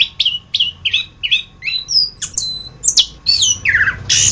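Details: Anis kembang, the orange-headed thrush, in masteran tutor song: repeated sharp downslurred chips about every quarter second, high whistled slides, then a harsher rasping burst at the end.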